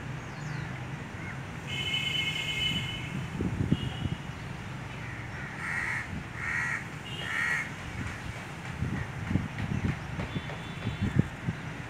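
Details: Crows calling to each other: several hoarse, drawn-out caws in short bursts, with a steady low rumble and scattered knocks in the background.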